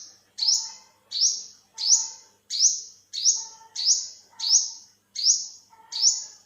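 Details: Olive-backed sunbird in 2021 repeating a bright, high, upward-slurred note about nine times, evenly paced at roughly 0.7-second intervals, with little other sound.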